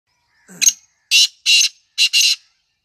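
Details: Black francolin calling: a short rough lead-in note followed by four loud, harsh, buzzy bursts in quick sequence, the last two pressed close together, with no other sounds.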